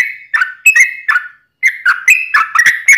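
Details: Yellow-vented bulbul singing long rapid-fire song, used as a lure to make other bulbuls sing: bubbly, liquid whistled phrases repeated in quick bursts, a brief pause midway, then faster chattering notes.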